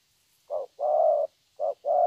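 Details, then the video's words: Spotted dove, a young wild-caught bird with a 'thổ' song style, repeats its cooing phrase twice. Each phrase is a clipped first note followed by a long, level second coo, with little else audible. "Thổ tốt tiếng.(chim tơ)"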